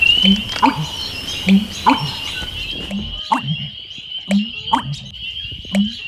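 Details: In a wetland in breeding season, a male American Bittern gives its deep, gulping "pump-er-lunk" song, which can carry for miles, repeated about every second and a half over a steady high-pitched insect or frog trill.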